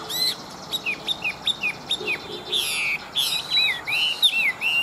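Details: Chinese hwamei, a large wild-caught fighting bird with a fine forest voice. It sings clear, bright whistled notes in quick succession, rising and falling sharply, mixed with short buzzy bursts.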